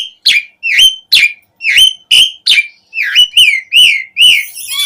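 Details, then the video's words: Asian pied starling singing vigorously, a lively song full of fill phrases, used as a lure to prompt starlings to sing: a run of loud whistled notes, each dropping and then kinking upward, about two or three per second, with harsh overtones. "Suara Jalak Suren Gacor Auto Nyaut Langsung Efektif buat Pancingan Burung Jalak"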